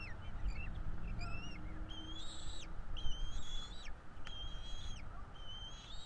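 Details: Two bald eagle chicks at their Florida nest on 5 April 2022, fed by parents; series of piercing flat whistles ending in a downward slide, close together, over a steady low hum.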